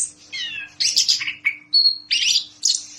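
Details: Orange-headed thrush singing boldly: a descending slurred whistle, raspy bursts, a clear pure high whistle held briefly, then harsh scratchy notes, phrases separated by short pauses.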